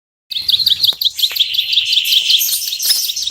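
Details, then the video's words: Ciblek sawah, or bar-winged prinia, starting abruptly into sharp high chipping notes, repeated quickly and slightly unevenly, with brief hissy bursts above them. "SUARA BURUNG CIBLEK SAWAH"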